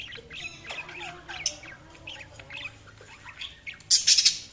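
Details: Budgerigar chirping softly with quick varied squeaks and warbled notes, ending in a louder, harsh scratchy burst of chatter.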